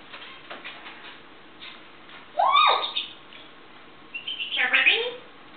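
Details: Cheerful African grey parrot in the morning on a kitchen table: soft clicks, then a loud swooping harmonic squawk and a later rising, chattering call.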